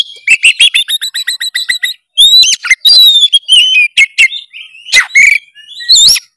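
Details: Oriental magpie-robin singing hard, a recording meant to make a reluctant bird sing: opens with a rapid series of about fifteen repeated short notes, then bright whistled slurs and sharp high chips.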